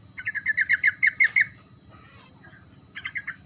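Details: Sooty-headed bulbul song in the rolling 'ngerol' style, meant to stir quiet bulbuls to answer: a long, fast string of about eight bubbly, evenly spaced notes, a short gap, then three more in quick succession over a faint hum.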